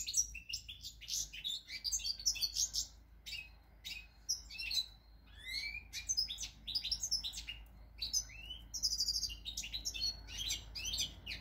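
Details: European goldfinch song recorded 8 February 2020: a fast, rambling stream of high twittering chirps, buzzy notes and short sliding whistles, delivered in tight bursts with a low steady hum underneath.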